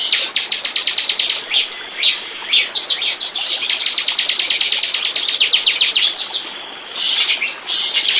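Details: Bar-winged prinia sound used as bait to lure birds: quick series of high clicking notes, a few separate upslurred chirps, then a long fast trill and scattered buzzy notes.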